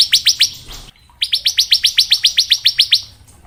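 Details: Bar-winged prinia 'ngebren' variation song for teaching young prinias. A few quick notes give way, after a short pause, to a steady trill of about a dozen sharp, evenly spaced high chips.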